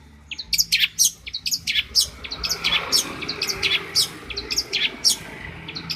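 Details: Long-tailed shrike, a champion bird from Banyuwangi, heard as tutor song: irregular sharp, high, squeaky notes and short twittering fragments, about one each second, over faint background noise.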